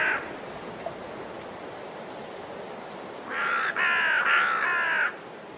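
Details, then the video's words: After a faint caw at the start and a long near-silent pause, a raven gives a run of four harsh, grating caws in quick succession. "Raben Geräusche - Raben Sound"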